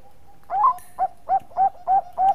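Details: Bangkok-type zebra dove singing eagerly as a lure: a louder rising coo opens, followed by five quick, rounded, mellow notes about a quarter second apart, with a brief high hiss near the start.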